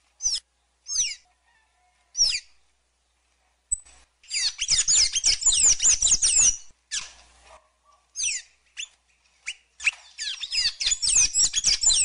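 A Sayaca tanager opens with a few thin, falling high notes, then breaks into a fast, squeaky jumble of twittering phrases in two long bursts.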